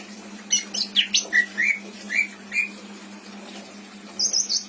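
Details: Greater green leafbird kept as a pet in Indramayu, a tutor bird with borrowed song phrases, gives a handful of rising and falling whistles and a brief high twitter, fairly quiet over a steady hum.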